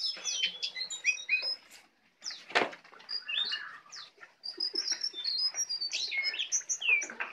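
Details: Tame, actively singing brown prinia with a song full of learned phrases: rapid high chirps and short slurred whistles in dense bursts, broken by a single sharp click and a short lull midway.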